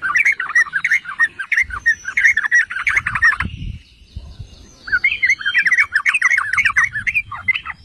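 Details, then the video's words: Yellow-vented bulbul song used to provoke other bulbuls: two bursts of rapid bubbly chattering notes separated by a short gap, with soft low background rumble. "Trucukan jenis APAPUN dijamin NGAMUK || Pancingan dan Masteran Trucukan"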